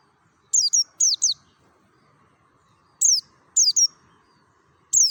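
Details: Mountain white-eye from Merapi in wild forest style, used as a lure to prompt other white-eyes to sing: pairs of piercing high chirps, each sliding downward, repeated in short bursts over a faint low hum.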